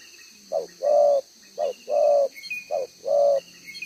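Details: Spotted dove, a wild-caught field bird with a double-row neck necklace, gives its one-ending coo during decoy trapping in Vietnam. Soft, deep paired notes, a brief lead-in then a fuller held coo, repeat three times against an even insect drone.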